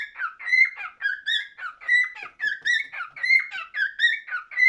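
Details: Singing cockatiel giving fast, whistled warbles with bright harmonic overtones, short rising and falling notes packed into pulsing bursts roughly every second, clean background.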